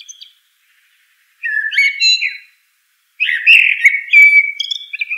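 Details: Rich caroling song of a common blackbird: two separate phrases of low, mellow fluted whistles, each followed by scratchy high twittering notes, with a quiet pause between them.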